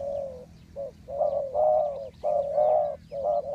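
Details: Spotted dove cooing to lure wild birds into a trap: mellow, slightly wavering coos running almost continuously, with brief gaps between notes and faint higher chirps in the background.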